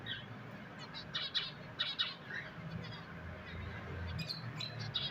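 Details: Pet finches chirping: a quick series of short, bright chirps and squawky notes clustered early on, then more sharp chirps near the end, over a low steady background hum.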